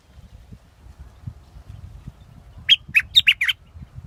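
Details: Scarlet-backed flowerpecker giving a quick burst of about six sharp, high ticking chips near the end, after a stretch of quiet with a low rumbling background.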